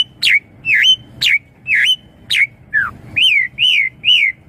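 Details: Asian pied starling song for luring young birds to answer: nine loud, clear whistles at regular intervals, each sharply downslurred or arched, with one lower falling note midway, over a quiet background.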